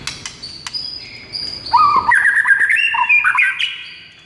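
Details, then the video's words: White-rumped shama singing actively in the morning as a masteran training song: thin high notes, then a loud varied run of rich whistles jumping between low and high pitches. "MASTERAN MURAI BATU GACOR PAGI HARI INI"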